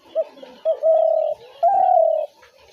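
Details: Spotted dove call of the kind used to lure doves into traps: two short clipped notes, then two long, steady, slightly wavering cooing notes, the second rising a little at its start, in a quiet small room.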